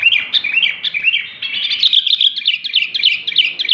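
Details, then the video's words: Kutilang, the sooty-headed bulbul, in full active song: a dense run of bubbly, warbled notes that rise, then quicken into rapid, evenly spaced chirps near the end, loud and continuous. "BURUNG KUTILANG SUPER GACOR"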